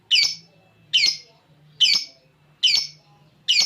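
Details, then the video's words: Harsh, high squawks from a champion ngekek lovebird with cililin filling, kept as a master for training, each burst short and rough and repeated roughly every 0.85 seconds. "Love bird juara ngekek isian cililin cocok buat masteran"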